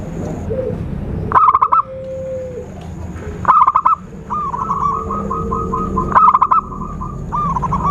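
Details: Zebra dove calls used as a lure for trapping birds: three loud, rapidly pulsed bursts about two seconds apart, with softer drawn-out whistles and wavering notes of other birds and a steady high electronic-like tone underneath.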